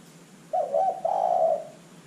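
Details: Single cooing phrase of a spotted dove, a lure track for prompting other birds to call; a quick hiccuping start runs into a long, even, throaty coo lasting about a second, with soft hum underneath.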